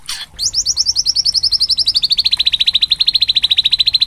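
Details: Spotted white-rumped shama singing as a lure to stir other shamas into song: after a short burst, a long, fast, even trill of sharp notes, about three per second, gently falling in pitch then levelling.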